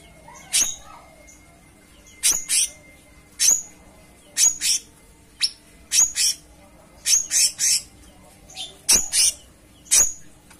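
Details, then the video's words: Cucak cungkok song of short, sharp high chirps in pairs and singles, spaced irregularly about one to two seconds apart, with a thin sustained tone and faint low hum behind. "Gacoran Burung Cucak Cungkok Istimewa"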